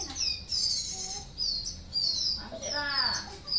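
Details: White-rumped shama singing: bright, high whistled sweeps and slurred phrases in quick succession, then a burst of lower harmonic rasping notes, with voices faintly in the background.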